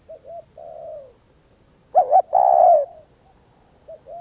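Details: One loud spotted dove phrase, a two-part coo then a long sustained coo, between softer, fainter coos from another dove. A continuous thin high whine sits behind.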